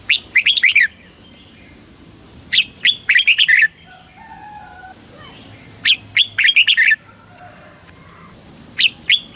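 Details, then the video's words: Southern master-style red-whiskered bulbul song from Thailand, played to excite birds and teach young birds. Lively phrases of rapid, warbling whistled notes repeat roughly every three seconds. Thin high whistles from other birds fill the gaps. "เสียงนกกรงหัวจุก ร้อง ริก เปิดให้นกฟัง ยั่วให้นกคึกจัด"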